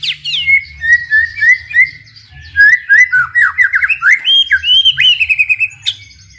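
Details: Gacor song of a white-rumped shama, used to stir other shamas into singing: a fluent stream of rich whistled notes, quick slurred and rising phrases ending in a fast trill, with faint low hum underneath.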